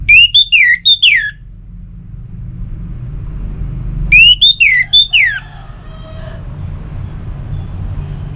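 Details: Orange-headed thrush singing, used as a lure to get caged birds singing: two bright phrases of rapid slurred whistles, each ending in a falling note, separated by a few seconds of quiet with low rumbling background.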